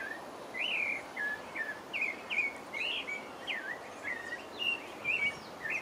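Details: Song of a pale-breasted thrush in French Guiana: a rapid string of short whistled notes, each bending up or down, repeated in a varied, caroling sequence over background hiss.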